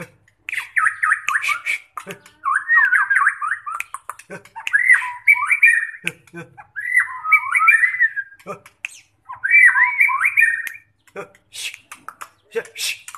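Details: White-rumped shama in contest preparation sings five warbling, fluty whistled phrases, one roughly every two seconds, separated by quiet gaps with a few faint clicks.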